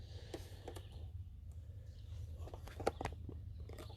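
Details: Low rumbling handling noise with scattered clicks and crunches, like chewing or footsteps, and no clear animal calls.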